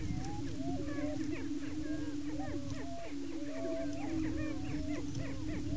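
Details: Greater prairie chicken males displaying and fighting at a lek in Washington County, Kansas, establishing breeding territory. A dense chorus of looping whoops and chattering cackles rides over a constant low moaning drone, growing busier midway.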